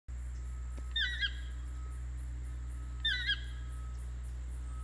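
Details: Toucan calling in Ojochal, Costa Rica: two loud yelping calls about two seconds apart, each a quick pair of falling, ringing notes, over steady high insect pulsing and a low constant hum.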